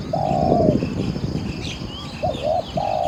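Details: Spotted dove used as a caged decoy to lure wild doves during a Thai dove-trapping session, giving soft, mellow hooting coos, a long note then a quick wavering pair, over faint high chirps of other birds and low rumbling.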